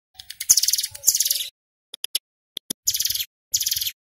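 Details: Male ciblek gunung, loud and dense 'nembak rapat' style, played to lure wild birds: buzzy high rattles of about a second each, separated by isolated sharp clicks.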